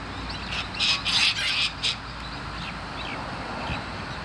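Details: Long-billed corellas feeding on grass in the sun while staying alert, giving four harsh, grating screeches packed into about a second, then falling quiet; faint distant chirps and a steady low rumble behind.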